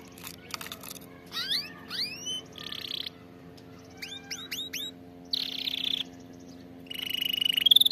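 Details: Canary phrases recorded for teaching canaries to sing: short bursts of upswept notes, buzzy chattering tours and rapid trills, broken by quiet gaps. A constant low hum is audible throughout.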